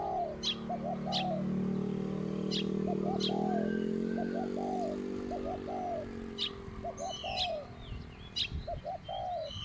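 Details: Spotted dove calling while decoy-lured, medium-pitched coo style: phrases of three to four rounded coos repeated through the recording over a loud droning engine, with sharp high chips from another bird.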